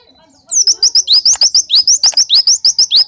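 An Oriental white-eye fires off a fast, loud run of sharp, rising high whistles, about five a second, copying a Java sparrow.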